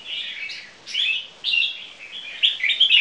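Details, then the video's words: Crossbred red-whiskered bulbuls kept in cages, with a Thai Jambul father, singing in a display: a few clear, whistled notes with slides between them, separated by brief gaps, closing in quick, bright chirps. "Jambul Keke Display"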